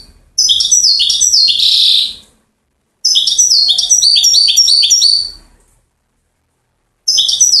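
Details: Goldfinch song recorded in Settat, Morocco, in the style valued for long trill series: two long bursts of rapid, high, liquid twitters with silent gaps between, and a third phrase starting at the end.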